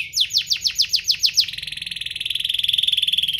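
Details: Domestic canary song intended to coax other canaries into singing: about eight evenly spaced falling sweeps followed by a long, steady buzzing trill.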